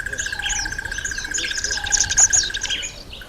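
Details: Red bishop in breeding season, October to November, when males turn black and red: a rapid jumble of high chirps, buzzy twitters and squeaky notes, over a steady pulsing drone from another creature.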